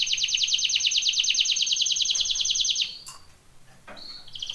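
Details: Canary training song opening with a fast, loud rolling trill for nearly three seconds, a pause with a short click, then a high whistled note and a new trill starting.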